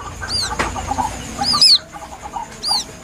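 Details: Young White-breasted waterhen giving plaintive calls, used as a hunting lure: a few high, thin arched peeps, one a quick double note, spaced about a second apart against soft background noise and a single sharp knock.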